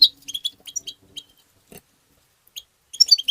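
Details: European goldfinch tabta song, meant to stimulate goldfinches: a quick burst of high twittering notes, a near-silent pause, then a short renewed burst of jingling chirps.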